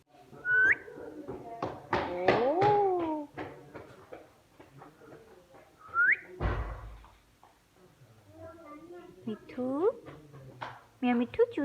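A pet parrot chatters in speech-like phrases broken by sharp rising whistles and clicks, with a person's voice and indoor knocks in the room.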